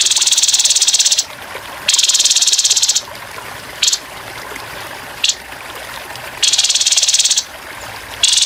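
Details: Grey-headed babbler in a birdsong training track with running water, uttering coarse 'tembakan kasar' rattles: long harsh buzzing bursts separated by brief sharp clipped notes, repeated irregularly.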